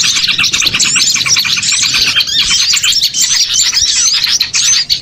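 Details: Dense chorus of many small birds, played as a lure to draw birds in for catching: overlapping high, quick chirps, twitters and short trills fill the clip without pause.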